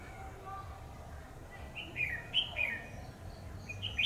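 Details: Red-whiskered bulbul serving as a decoy during trapping, delivering a run of bright, bubbly whistled phrases that step up and down, with another short burst at the close over faint low background noise.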